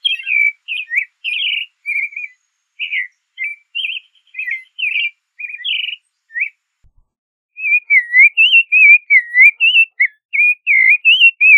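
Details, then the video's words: Creamy-bellied thrush delivering quick varied warbled phrases, a short pause, then a denser flowing stretch of looping, slurred whistles. "Zorzal Chalchalero Canto - Creamy-bellied Thrush Song"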